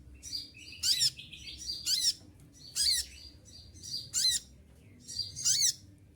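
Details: Olive-backed sunbird in moult, its feathers all falling out, still singing steadily: five shrill, sharp bursts of high piercing notes over about six seconds, each rising and falling quickly, with quiet pauses between.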